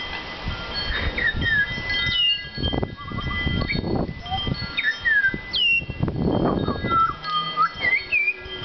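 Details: Butcherbird in a back yard, singing for its supper: clear whistles with rising and falling slurs and quick upward flicks, over rumbling background noise.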